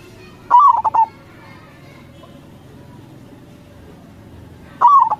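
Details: Zebra dove of local stock, a gacor singer kept as a lure, delivering two cooing phrases four seconds apart, each a drawn-out slurred coo followed by quick rolling pulses, with a low steady hum between.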